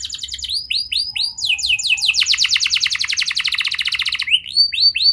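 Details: Young canary song used as a lure to prompt young canaries to sing: rapid trills of rising-falling whistled notes, buzzy fast rattling runs and sweeping slurs, bright and high, with a faint low hum beneath.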